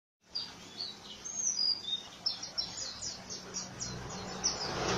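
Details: Oriental white-eye singing in the rough 'ngriwik kasar' style: rapid, high, thin chirps repeated in quick series, with faint low background hum.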